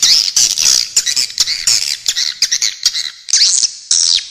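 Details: Swiftlets in an original recording: squeaky, buzzy chirps in fast irregular bursts, ending in two longer, wavering squeals.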